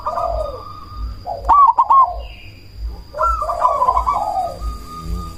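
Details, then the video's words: Zebra dove, cemani variety, used as a provoking lure to make other doves answer and boost breeding drive: mellow descending coo, a quick series of sharp clicks with rolled notes, then a longer cooing phrase, a steady high whine throughout. "Perkutut cemani gacor suara BESAR pancingan ampuh bikin lawan langsung nyaut"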